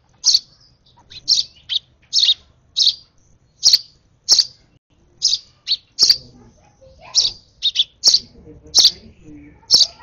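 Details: Over-excited hand-fed sparrow nestling chirps rapidly. The high, sharp notes come in quick pairs and singles, nearly twenty in ten seconds, with faint rustling in the background.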